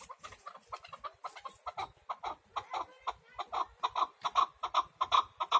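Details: Chukar partridge calling in a yard, a rapid series of short clucking notes repeated about two to three per second, growing louder and more insistent toward the end.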